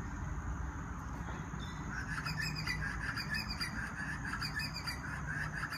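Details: A hand-reared Southern boobook (Ninox boobook) owl chick in care in Australia gives harsh, raspy squawks in quick succession, starting after a couple of seconds, over a steady low rumble of background noise.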